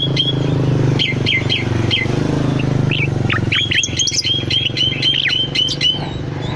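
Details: Cucak loreng bulbul singing for a lure or master recording for cage birds: a few spaced chirps, then a rapid chain of slurred, falling whistled notes, with a loud low engine-like drone throughout.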